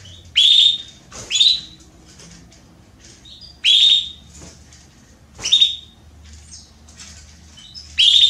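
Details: Female Belgian canary asking for mating, repeating loud upswept whistled calls roughly every one to two seconds, five in all, with soft chirps in between.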